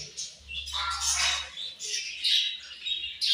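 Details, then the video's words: Budgerigars chirping at their morning food, a loud cluster of overlapping high chirps and harsh squawky notes with a brief noisy burst near the start. "Budgies Morning Food And Chirping Sounds"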